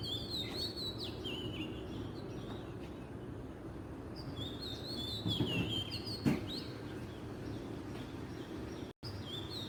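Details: Wild oriental magpie-robin singing in Southeast Asia: clear whistled phrases around mid-high pitch, sliding and falling notes in short bursts, over steady low rural background hum and a few clicks.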